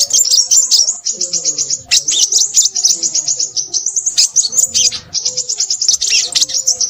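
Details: Crimson sunbird singing in lively bursts, quick series of sharp high chirps about a second long each, separated by tiny gaps, with faint low background sounds.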